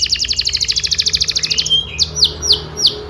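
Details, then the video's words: Canary singing as a training master for young birds learning their song: a rapid, even trill of about twenty notes lasting under two seconds, followed by slower, spaced, sweeping down-slurred whistles, with a soft low hum beneath. "PANCINGAN KENARI GACOR DURASI PANJANG UNTUK MASTERAN KENARI PAUD BELAJAR BUNYI DAN GACOR"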